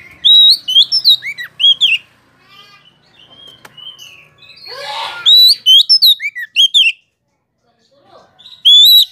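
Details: Oriental magpie-robin song used as a lure for other magpie-robins: loud clear whistled phrases with upslurred and downslurred notes around high pitch, in bursts separated by short pauses, with a faint rougher burst midway.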